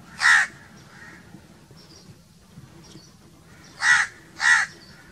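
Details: A single hoarse crow caw, then a pause with faint chirps from other birds, followed by two more rasping caws close together.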